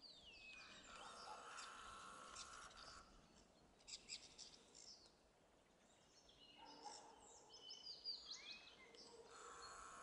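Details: A song thrush sings varied, bright phrases of whistles and chirps, each a second or two, with short pauses and faint outdoor background noise; 2 April 2016, Zabrzeg forestry district, Bielsko, southern Poland.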